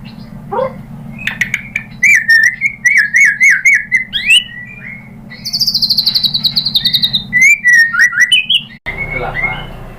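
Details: White-rumped shama song played to stir a bird into singing: rapid warbled whistles and clicks, then a long, high, steady whistle with fine rattling pulses, ending in more fluid phrases over a low background hum.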